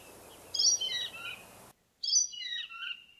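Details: Indigo bunting singing in a forest: two high, sweet phrases of quick paired and slurred notes, each dropping and sliding about a second long. Background hiss for the first phrase, then near-silence between phrases.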